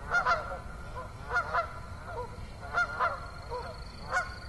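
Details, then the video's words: Autumn evening honking from geese at Assabet River National Wildlife Refuge, recorded 6 October 2014, with around eight short nasal honks, often in quick pairs. A thin steady high tone runs through the second half. "Autumn Evening with Beaver, Geese, Katydids and Others"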